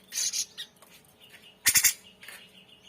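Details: Grey-cheeked bulbul in a masteran tutor recording described as full of varied notes and singing actively: rasping high bursts open the clip, then a loud triple harsh squawk, followed by softer scratchy notes.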